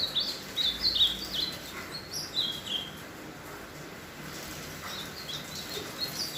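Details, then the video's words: Ultramarine grosbeak finishing its moult, singing: short high warbled phrases, bright slurred notes in quick bursts with brief pauses, over a steady faint background hiss. "Azulão CASCÃO finalizando a muda e cantando."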